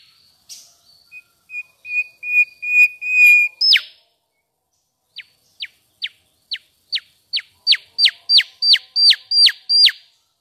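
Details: Pachycephala cinerea, the mangrove whistler, opens with a run of level whistled notes that grow louder, ends them with an upward flick, then after a gap delivers about a dozen crisp descending whip notes at an accelerating pace.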